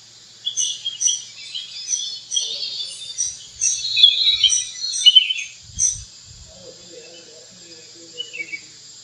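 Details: Flame-throated bulbul, a bird of the Western Ghats of India, singing: bright chirpy notes repeated through the clip, louder burst midway, with faint lower murmuring sounds near the end.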